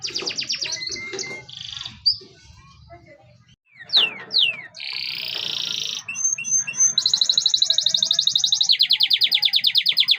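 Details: Canary singing in broken phrases: scattered high chips and sharp downward sweeps with a brief pause, then a steady buzzy note and two long, very fast, high rolling trills at the end.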